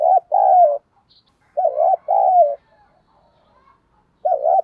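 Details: Decoy spotted dove giving its full song loudly and clearly to lure wild doves: warbling double coos, each a short rounded note followed by a longer falling one, repeated about every two seconds.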